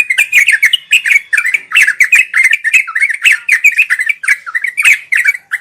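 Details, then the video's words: Sooty-headed bulbul pouring out continuous 'ngeropel' song for birds learning to sing: rolling, liquid chirps and short warbles packed closely together, accompanied by frequent sharp ticks. "Suara burung trucuk"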